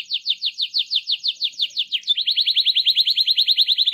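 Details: Canary 'gacor ngerol' song played to get other canaries to sing: an even series of down-slurred notes about six per second, then a quicker, higher-rate rolled trill.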